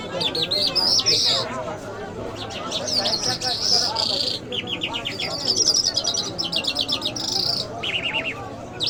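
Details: Iranian lark, known as jal, of the Mashhadi style. The song mixes high sustained whistles with rapid rattling trills and clicking series, repeated in several bursts over a low background murmur.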